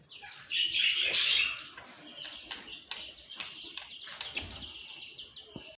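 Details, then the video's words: Pet budgies give a loud cluster of high chirps early on, then softer ongoing twittering and scattered squeaks, with occasional clicks underneath. "A Symphony of Budgies"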